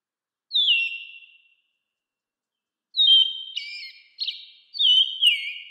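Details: American robin calling: a single drawn-out descending whistle, then after a pause a tight run of four whistled and buzzy notes, loud and clean against silence.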